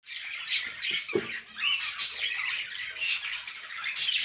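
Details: An albino Cockatiel gives harsh, scratchy squawks and chirps mixed with brief high whistles in a busy stream.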